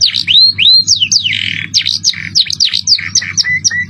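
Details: Masteran canary song in cengkok mewah style, jerih piercing voice: arched rising whistles, a harsh buzz, then rapid sharp sweeping notes and short clear whistles toward the end, over a steady low hum.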